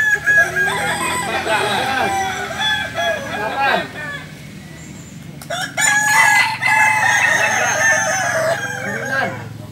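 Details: Balenggek chickens at a Sunday crowing contest in Ampang Kualo, Solok, competing in the landiak class; two bursts of dense, wavering multi-part crowing separated by a quieter gap with low background hum.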